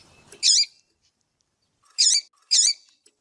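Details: Double-collared seedeater (coleiro) of the tui-tui song style, a female calling to warm up a male. Three short, harsh, buzzy chirps: one early, then a close pair about half a second apart, with silence between them.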